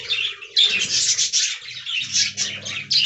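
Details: Colony of caged budgerigars producing unbroken high scratchy warbling with squeaky accents, a low murmur and hum rising in the second half.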